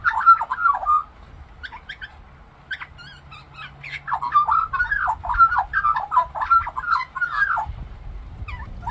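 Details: Australian magpie mimicking other birds in song: a second of rich warbling, a pause with scattered short chirps, then a sustained jumble of gurgled whistles and clicks, with low background rumble near the end.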